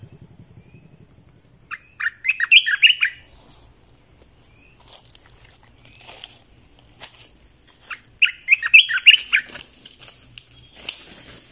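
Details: Red-eyed bulbul in a decoy recording, giving two bursts of bubbly, quickly warbled notes several seconds apart, with rustling and footstep-like sounds between phrases.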